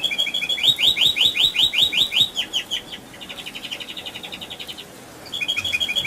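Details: ['Lively canary lure song used to provoke other canaries. It has rhythmic, repeated swept chirps at about three per second and a softer fast trill, then resumes with clipped repeated notes.']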